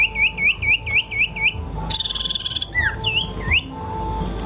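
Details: Bird song opens with six evenly spaced looping whistles. A rapid buzzy rattle follows, then a few sharp slurred whistles, set against a constant low hum.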